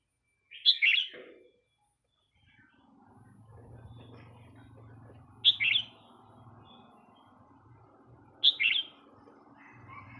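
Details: Red-whiskered bulbul giving three loud, brief warbled phrases spaced roughly three to five seconds apart, each rich and bubbly, over a soft low hum.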